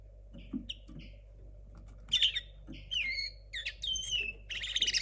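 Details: Linnet hybrid from 2022, a young bird whose song is still confused, mixes soft scattered chirps with louder whistled notes that slide up and down and a final fast buzzy trill.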